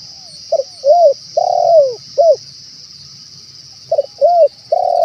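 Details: Spotted dove cooing to draw in wild doves: a group of short notes and a long descending coo, a two-second silence, then another cluster, set against a constant high-pitched buzzing drone.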